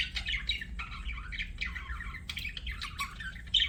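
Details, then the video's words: Budgerigar giving quick chirps and rasping warbles in short overlapping phrases, low hum in the background. "BUDGIE CHIRPING SOUNDS"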